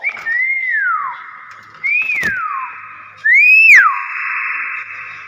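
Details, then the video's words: An actively vocal common hill myna gives three loud whistled phrases about a second and a half apart. Each rises briefly and then glides steeply downward, and the last is the strongest and richest in overtones. "BURUNG BEO GACOR"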